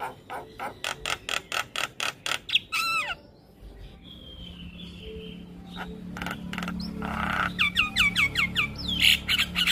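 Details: A young Javan myna sings a varied, chattering song: quick runs of harsh clicks and squawks, then clear whistled notes that slide downward, repeated in bursts.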